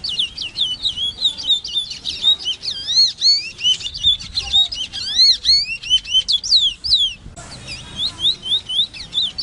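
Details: Large-billed seed finch, locally called ave congo, singing a rapid, varied warble of whistled, sweeping notes and chirps, rising and falling, nearly continuous for about seven seconds, then a brief pause and softer notes resuming near the end.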